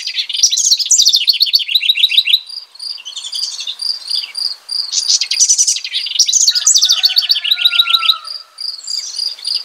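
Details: House wren (Troglodytes aedon) singing rich, bubbly bursts of rapid trilled and scratchy notes that tumble downward, with several phrases separated by short pauses. A steady series of short, high, even chirps repeats underneath throughout.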